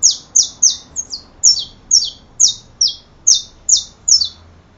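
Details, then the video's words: Saffron finch singing a steady series of about a dozen sharp, high, descending chirps, several doubled into two-part slurs, spaced roughly every half second. "Canario da terra"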